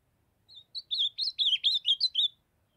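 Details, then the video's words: Young ultramarine grosbeak, still in brown plumage, singing the Northeast Brazil style of song: a rapid phrase of about eight clear, warbled, slurred whistled notes that rise and fall, lasting about two seconds, with a quiet background. "Azulão jovem cantando fenômenal❤O lindo canto azulão do Nordeste"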